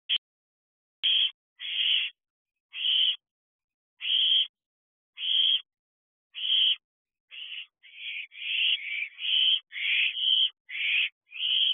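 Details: Ten-week-old owlets in an owl box at 10:19 pm on 19 June 2022, looking for food to be delivered: harsh hissing screeches, about one per second, then faster and overlapping toward the end.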